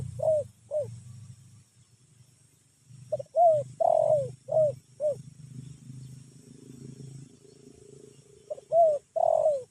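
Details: Spotted dove giving a drowsy-style calling series of kuk notes: short hooting coos, then a run of five soft rising-falling coos and a final pair, with a low rumble and faint high hiss behind.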